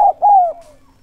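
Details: Single two-part coo from a spotted dove kept as a decoy to lure wild doves, a short note then a longer one gliding downward and fading out.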